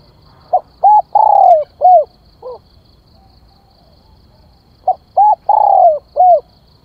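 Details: Spotted dove decoy calling to lure birds: two cooing phrases, the first with a soft low extra note at its end, each built of short coos around a long downward-sliding coo, with a faint high whine.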